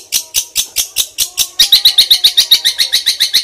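A Long-tailed Shrike gives a fast run of sharp, high chirps, about four a second, mimicking a Stork-billed Kingfisher; the notes grow louder and ringing midway.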